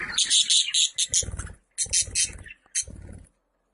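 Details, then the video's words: Budgerigar chattering in bursts of bright, scratchy high chirps with short pauses, joined by a lower throbbing, buzzy sound underneath during the middle bursts. "Muhabbet Kuşu Sesleri"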